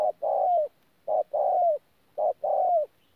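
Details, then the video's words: Spotted dove, a wild-caught bird from Tu Mo Rong, 14 January 2019, giving thổ calls blended with gù: repeated pairs of a brief coo followed by a drawn-out hoarse coo that dips at its close. "BỔI THỔ PHA GÙ QUÁ TỐT"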